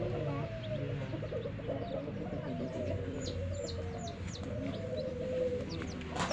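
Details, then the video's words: Hen with baby chicks: low, soft clucking notes run through the clip, with faint high short chirps scattered above and a sharp noise near the end. ""Chicks Chirping""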